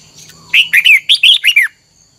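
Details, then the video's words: Red-whiskered bulbul song of the double twisted-note style, trained to sing: a quick phrase of six or seven clear whistled notes that swoop up and down, delivered in under a second and a half. "Luyện giọng chào mào hót hay âm kép xoắn, ép chào mào hót âm kép già rừng hay tuyệt!"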